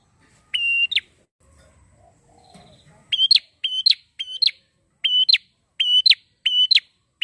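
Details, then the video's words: A prinia, used as a lure to train young birds, sings a loud, clear note ending in a sharp upward flick, repeated about every two-thirds of a second after a brief pause, with faint low rumbling. "PRENJAK GACOR!!"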